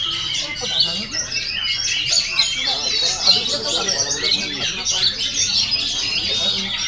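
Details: Busy, unbroken oriental magpie-robin song packed with sharp high chirps, twittering trills and quick whistled phrases, accompanied by a background of human chatter.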